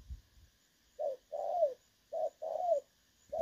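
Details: Clear 'đồng son' coos of a spotted dove from a trapping decoy recording, 16 August 2024. A low rumble opens, then paired coos follow, each a short note and a longer descending one.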